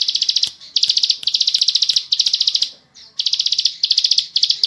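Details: Bar-winged prinia, known locally as ciblek sawah, delivering a ngebren gacor song for tutoring caged birds: a continuous rapid buzzy trill of high notes, split into bursts by short silences, with faint clicks underneath.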